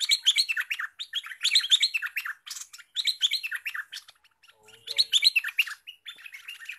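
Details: Newly trapped olive-winged bulbul, now singing actively and ready to serve as a lure bird: rapid bubbling, chattering phrases in dense bursts of about a second, repeated with short pauses, with brief quiet gaps between.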